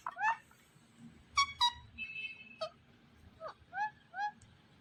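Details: Talking Indian ringneck, a green parrot, producing speech-like mimicry: clipped harmonic syllables, a level sustained note, and short descending phrases spaced through a quiet room.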